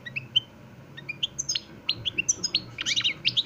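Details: European goldfinch, a kept bird of the parva de Montijo, Extremadura song style, singing continuously: bright twittering phrases of short high notes and quick slurred trills, sparse at first, then denser rapid chatter toward the end.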